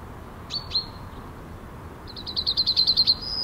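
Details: A male Yellowhammer in NSG Ahsewiesen, Germany, on 17 February 2019 at 10:55, gives two high sharp notes, then a quick run of about nine dry, repeated notes ending in a longer drawn-out tone, over faint hiss.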